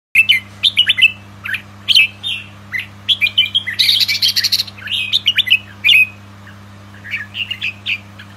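Red-whiskered bulbul giving bright, bubbly chirps and short warbled phrases in quick bursts, with a steady low electrical hum underneath.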